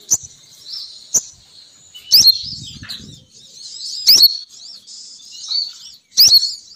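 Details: Sogon bird, female, calling as a lure for males: bright high chirps and warbled twitters in short bursts, with loud sharp clicks roughly every two seconds and a brief low rumble.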